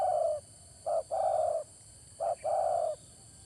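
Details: Spotted dove calling for bird trapping: low, hollow coos in a repeated phrase of a long coo, then a short note followed by another long coo, over a steady electronic hum and faint background noise.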